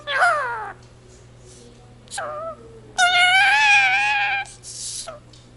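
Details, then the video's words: Shaun, a pet Indian ringneck (rose-ringed parakeet), speaks Punjabi in a nasal, human-like voice, saying "jo bole so nihaal sat sri akal": a quick falling phrase, a short word, then a long drawn-out strained phrase over a low hum. "talking parrot jaikara indian ringneck speaks in punjabi"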